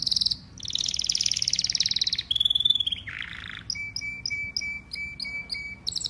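A canary sings a fast, varied song of high rapid trills and buzzy rolls, then a steady repeated whistled note with quick chirps laid over it.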